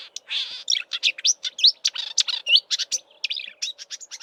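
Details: March recording of a marsh warbler in Eastern Cape bush, close beside a roadside, mimicking southern African birds before migrating north: loud, hurried jumble of chattering, buzzy notes and bright whistled slurs.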